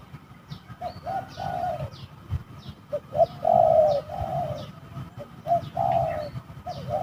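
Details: Wild spotted doves brawling at a reputedly haunted trapping location; a series of low coos, some long and drawn out, some clipped, in uneven bursts, with scattered thin high chirps from small birds and background hum.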